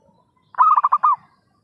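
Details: A single zebra dove lure phrase for trapping: one burst of five or six quick, rolling coo notes lasting about half a second, with faint soft notes before it.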